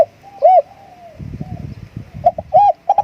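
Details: Decoy spotted dove cooing to lure others: a lone loud hooded coo, a long faint sliding tone, a stretch of low rumbling background, then a quick run of three short ringing coos at the end.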